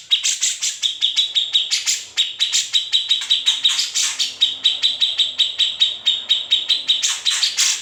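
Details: Grey-cheeked bulbul, its song used as a tutor for shamas and leafbirds, in an original unedited recording. A long, dense trill of quick, bright clipped notes runs for several seconds with small bursts of louder chatter.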